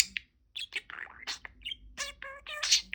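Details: Pet budgerigar talking indoors, saying "peek-a-boo" in a cheerful chattering voice: a run of short, bright, squeaky syllables with buzzy harmonic notes mixed among high chirps.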